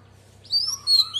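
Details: A female Oriental magpie-robin offers a brief wild-voice phrase to stimulate males: a sustained, slightly falling clear whistle followed by a second bright whistled note, over a faint low hum.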